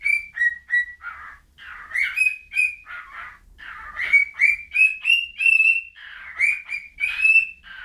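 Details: Bird pouring out brisk whistled notes, some clear and level, others rough and chirpy, climbing in pitch through rapid rising phrases.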